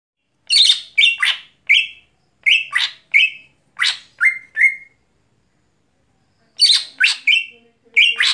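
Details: Greater green leafbird singing at night, a series of loud, harsh, sweeping notes, each dropping into a short buzzy tone, given in quick runs of two or three with pauses between phrases; faint low hum near the end.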